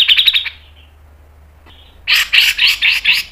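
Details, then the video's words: Grey-cheeked bulbul, its fast, sharp training song: a quick string of about eight bright, harsh notes, a short pause, then five louder buzzy chirps in steady succession. "MASTERAN CUCAK JENGGOT MBESET NGEPIK NEMBAK PANJANG SPEED RAPAT"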